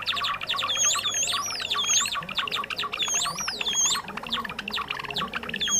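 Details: Java sparrow lure recording for trapping, from a bird of rice fields and farmland: continuous chirping and clicking with high, wavering whistles rising and falling again and again.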